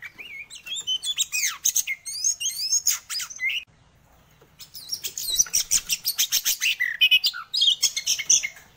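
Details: White-rumped shama singing loudly and persistently: rich whistled phrases, rapid rising and falling slurs and sharp chattering notes, a brief pause near the middle, then a dense run of repeated clipped notes and whistles.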